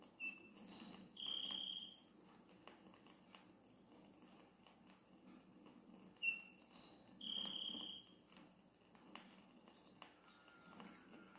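A Grassland Sparrow sings twice, about six seconds apart: two or three thin, high notes and then a dry, buzzy trill. A low rumble and faint insects sound underneath.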